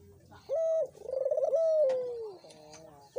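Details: Dove coo used as a lure to prompt a silent dove to call: a steady low hooting note, then a quick vibrating trill, then a long drawn-out coo that slides gently downward.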